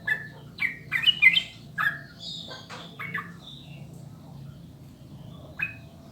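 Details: Sooty-headed bulbul song played as a master recording to prompt birds to sing: a burst of bright bubbly whistles in the first two seconds, then a few scattered thinner notes and a final short chirp after a pause.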